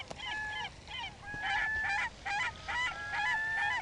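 Several gulls squawk in harsh, nasal bursts, calls overlapping and repeating about twice a second with some drawn-out wails.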